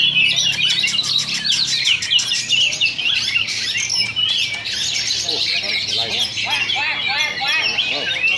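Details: Two Oriental magpie-robins duel at a Sunday practice singing contest, giving dense, overlapping whistled and chattering song in rapid, varied, high phrases over a low hum and crowd murmur.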